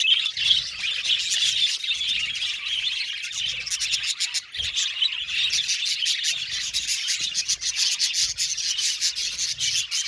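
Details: Colony of Australian budgerigars in an aviary, many birds chirping and chattering at once in a dense, high, continuous twittering wash, with sharper clicks and chips rising out of the chorus throughout.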